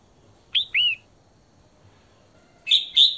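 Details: Female Red-whiskered bulbul (Pycnonotus jocosus) singing to excite and call males, giving two bright, slurred whistled notes, a short pause, then two sharper chirpy notes; quiet background.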